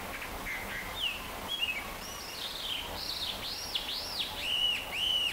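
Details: Hwamei practising its song in Chofu, Japan, on 30 June 2015: varied whistled phrases building into loud repeated arching notes that rise and fall, ending on a long steady whistle, with continuous background hiss.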